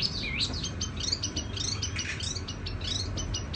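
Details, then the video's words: Tiểu mi songbird with a rapid run of high chirping notes and short twittering phrases, set against a noticeable low-pitched background rumble. "Chim tiểu mi hót tiếng vang dịu"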